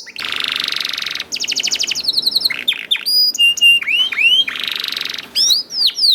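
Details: Young canary song used as a lure to get other canaries singing. A loud, dense buzzing roll gives way to a fast rattling trill, then sharp whistled slides and swoops, and another buzzing roll ends in steep whistled notes.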